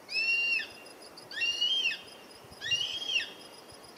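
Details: Juvenile Black-and-chestnut Eagle in Ecuador giving loud, high, drawn-out whistled screams, each about half a second long with a slight rise and fall, three in a row roughly every 1.3 seconds, over steady insect buzzing.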